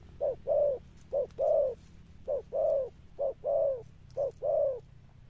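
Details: Wild-caught spotted dove cooing in the 'Thúc Đồng Pha Sấm' and 'Sấm Thổ' styles: low, hollow phrases, each a short note followed by a longer, swelling coo, repeated four times at steady intervals over a faint low hum.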